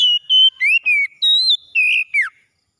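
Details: Morning song of an Oriental magpie-robin, a quick sequence of bright whistled notes, some level, some gently rising or falling, ending in a steep downward slur, seven notes in under two and a half seconds, heard alone.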